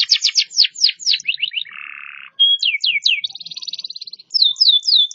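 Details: Canary in full song, switching between quick downward whistles, a harsh buzzy phrase, a steady high whistle and a rapid rolling trill.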